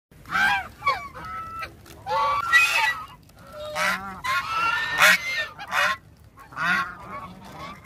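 Domestic geese honk loudly and repeatedly, harsh nasal blasts coming in bursts every half second to a second, several birds overlapping.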